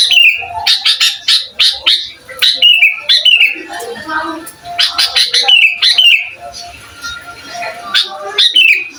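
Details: Sooty-headed bulbul in full lively song, meant to agitate other bulbuls and to tutor young ones; a dense run of chattering, bubbly notes and falling whistled slurs, nearly continuous across the stretch.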